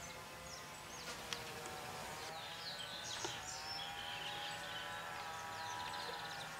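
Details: A chopi blackbird (Gnorimopsar chopi) in Tupi Paulista, São Paulo, Brazil, sings quick, liquid whistled phrases with sliding notes against a busy chorus of other birds and a steady buzzing hum.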